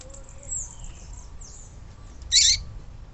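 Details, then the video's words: Call of a female yellow-bellied seedeater, played to excite males: faint thin high notes at first, then one sudden loud, harsh, high chip near the end over a quiet low background hum. "Papa capim fêmea levanta defunto"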